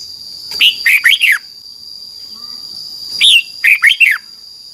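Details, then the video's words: Red-whiskered bulbul song from Thailand meant for teaching young birds: two phrases of four clear, rolling whistled notes bending downward, separated by a two-second pause, with a persistent high electronic tone. "นกกรงหัวจุก, 30 นาทีทุกเช้า เพื่อให้นกเรียนรู้ที่จะพูดได้อย่างรวดเร็วและหนักแน่น"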